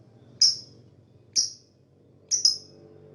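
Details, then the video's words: Lovebird chirp said to draw other birds: three short, sharp, very high notes about one second apart, each a quick falling tick, the last doubled. "Lovebird Fighter Chirping sound, most powerful for attract other bird"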